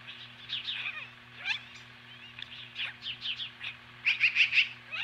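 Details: Osprey at the nest near Lolo, Montana, facing off magpies at 10:26 AM, July 15, 2015. Irregular high whistled notes and a few sharp downswept calls lead to a fast run of loud notes at the end, with a steady low hum behind.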